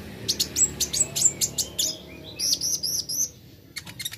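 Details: Plain flowerpecker, played to coax fast singing: a rapid chattering run of sharp, high clicks and chips, then a row of slurred high notes, ending in a few brief ticks after a pause.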